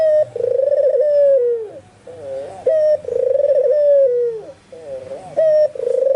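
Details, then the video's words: Albino puter dove in vigorous song, repeating a short note followed by a long vibrating coo that drops at its close. The gaps between phrases are filled with soft wavering coos. "SUARA BURUNG PUTER PUTIH ALBINO FULL GACOR"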